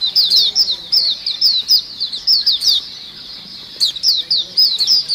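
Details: Several white-eyes chattering together as a lure sound: rapid, high, sibilant twitters in dense bursts, a short pause mid-way, then the excited chirping picks up again.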